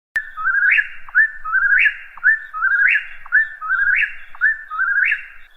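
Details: Whip-poor-will singing its three-part whistled phrase over and over, about once per second, each ending in an upward sweep, clear against a quiet background.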